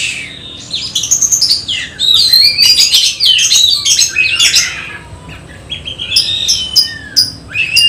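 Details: Oriental magpie-robin in contest training delivers loud, rich song: rapid swooping whistles, scratchy chatters and sharp upslurred notes tumbling together, pausing briefly before further bright rising whistles.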